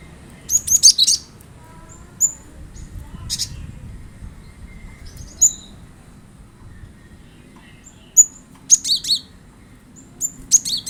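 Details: Cinereous tit song played to prompt a kept bird into singing along: high, thin chirped phrases in short bursts, with a cluster near the start and a quick run of notes near the end, separated by quiet gaps and faint background hum.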